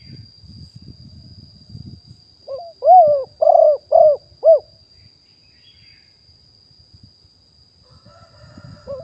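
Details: Wild spotted dove, recorded live in 2021 as a decoy caller. A single phrase of a short lead-in and four arched, husky coos stands out between stretches of low rumbling noise, with a faint high whine throughout.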